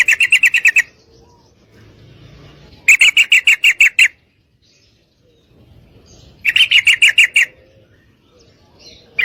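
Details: Female sooty-headed bulbul calling a male to mate, given as a lure to excite males into long fighting song: bursts of about ten rapid harsh buzzy notes, repeated three times with pauses between.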